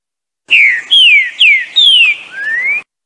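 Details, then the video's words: Green-winged saltator gives a rich whistled phrase of five notes: four clear downslurred whistles, then a final rising note, all in about two seconds. "Trinca-ferro Bom dia seu Chico BOI"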